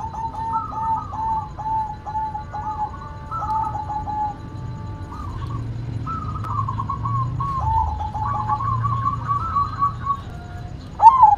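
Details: White zebra dove singing actively: repeated soft, mellow cooing phrases of short rolling notes, steady in pitch, with a faint low hum beneath.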